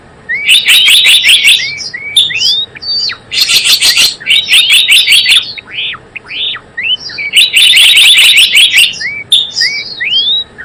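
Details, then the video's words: Java sparrow lure sound for trapping, also used to tutor caged birds: repeated bursts of quick, sharp chirping alternate with looping, up-and-down whistled notes over about ten seconds, loud and busy throughout. "SUARA PIKAT BURUNG GELATIK BLOONG .. mp3 pikat dan masteran"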